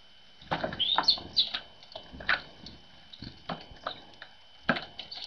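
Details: Tits busy at a feeder early on a winter morning following a frosty night: a jumble of quick high chirps and twittering notes mixed with frequent tapping and pecking sounds.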